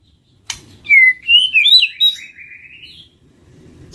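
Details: White-rumped shama lure song: a sharp click, then a smooth whistled phrase of warbled slurs fading into a long, gently rising trailing whistle.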